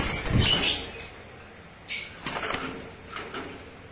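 A young hill myna gives harsh, raspy squawks in three short bursts, with a few thin whistled notes between them over a quiet background.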